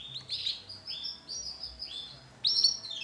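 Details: Male canary, yellow colour variety, singing: short high whistled notes and slurred phrases, ending in a louder buzzy trill.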